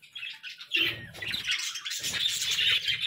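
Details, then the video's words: Morning budgerigars in a dense burst of warbling chatter, high scratchy notes overlapping continuously with a faint low rumble beneath. "Morning Budgie Sounds 🦜💕 | Bird Chirping Sound for Relaxation"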